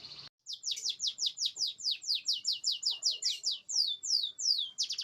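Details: Canary singing as a lure to make silent canaries sing: after a brief cut, a fast rhythmic string of short high downward-swept chirps, about two and a half per second, evenly spaced and bright.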